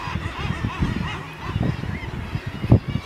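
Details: Northern gannets on the cliffs of Helgoland, a breeding colony: harsh, low, grating calls overlapping without pause, with rasping bursts and a few wavering higher notes over the throng.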